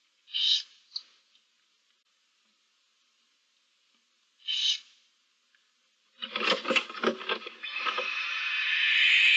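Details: Barn owls in a nest box with seven owlets, recorded 15 March 2024: two short hoarse hissing bursts a few seconds apart, then a long rough rustling, scraping stretch of broad noise.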